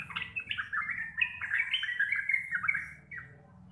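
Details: Local Javanese sooty-headed bulbul singing actively in the ropel style, described as deep, clear and loud, used as a master recording for training birds to answer quickly: fast bubbly run of warbled chattering phrases for three seconds, then fading, over low hum.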